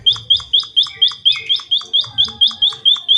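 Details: Munia singing vigorously: sharp, high chirps with a quick downward slur, repeated steadily about four times a second for the whole stretch, with a faint low hum underneath.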